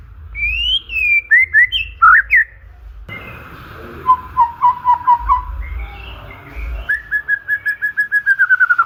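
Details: White-rumped shama (murai batu) song meant to provoke rival birds: sweeping whistled phrases that rise and fall, a sudden cut to a string of lower repeated notes, then a fast, speeding series of short descending whistles.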